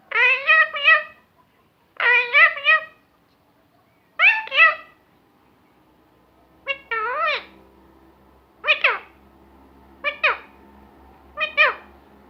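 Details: Talking parrot, said to say Allah Hoo and many other words, uttering seven short harmonic speech-like phrases in clusters of two or three quick syllables, spaced about every one to two seconds, with a faint low hum in a quiet room.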